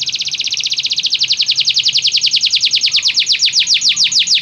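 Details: Canary singing, played to get a canary singing: a long rapid trill of buzzy repeated notes, speeding and slowing slightly, steady and loud throughout.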